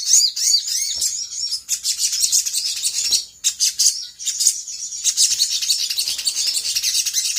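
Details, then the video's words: Brown-throated sunbird lure song to get other birds answering: dense, very high, scratchy twittering with curved chirps at the start, running almost continuously with small breaks. "PANCINGAN SOGOK ONTONG GACOR KONSLET AHLINYA BIKIN BURUNG BAHAN CEPAT RESPON NYAUT!!!"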